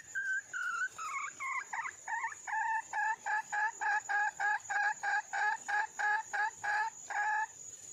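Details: Wild female red junglefowl calling for a male mate: a few drawn-out wavering notes, then about fourteen evenly spaced clucking notes, roughly two per second, over a steady high-pitched insect drone.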